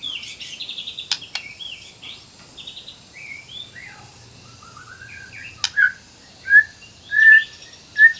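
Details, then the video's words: White-rumped shama song, used as a training recording and as therapy for shamas that have stopped singing: soft, quick twittering at first, then loud, clear whistled notes near two kilohertz spaced about half a second apart. "MASTERAN MURAI BATU GACOR - TERAPI MURAI BATU MACET BUNYI"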